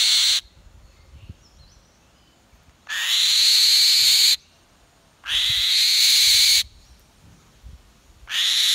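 Changeable hawk-eagle giving long, harsh, high screeches, each about a second and a half, rising at the start and repeated every two to three seconds.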